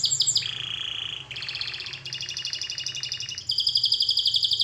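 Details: Canary song used for training: rapid high trills in distinct blocks, a buzzy mid-pitched roll giving way to bright rattling tours, each section repeated about four times a second, faint low hum beneath.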